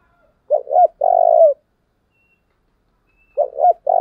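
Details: Decoy spotted dove repeating its "thúc" call to entice wild birds: a full phrase of two short coos and a long coo, a pause of nearly two seconds, then the phrase starting again.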